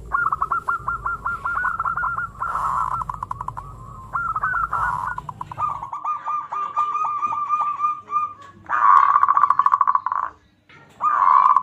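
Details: Local zebra dove song to stimulate other birds: long continuous strings of fast, bubbling coo notes over a low rumbling hum that fades halfway, then louder rolling coos.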